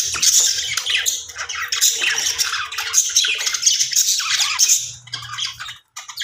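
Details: Budgerigars in an aviary chatter constantly: a dense, overlapping stream of high, scratchy squawks and warbles from many birds, nearly continuous, with a few brief pauses.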